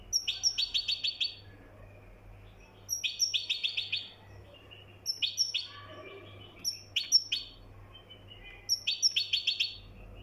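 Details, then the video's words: Moroccan goldfinch repeating short bursts of high, tinkling twitters about every two seconds, five phrases in all, with quieter notes between and a faint low hum behind. "طائر الحسون المراكشي"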